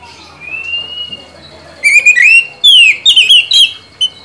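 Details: Lure song of an oriental magpie-robin for a bird that has stopped singing: a soft, long whistle first, then loud, clear phrases of sweeping slurs and quick wavering whistles in short, separate bursts.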